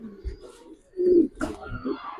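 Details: Giribaz pigeon giving one short, loud, throaty coo after a quieter murmur, followed by softer rumbling coos and a brief clatter.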